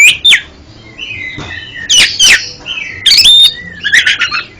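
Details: Varied oriental magpie-robin song meant to help a stuttering pet bird sing fully: drawn-out clear whistles alternate with buzzy, scratchy bursts and quick high twitters, each phrase separated by short gaps.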